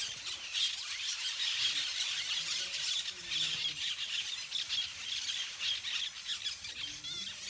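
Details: Many parakeets calling together while playing in treetops, an unbroken shrill, hissy chatter with rising and falling intensity throughout.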